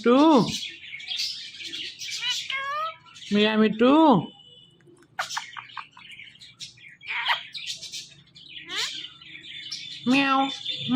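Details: Talking Indian ringneck parrot gives several loud, harmonic, word-like bursts, some arched and some flat, spaced by quieter chirps and twitters, with a faint steady background hum.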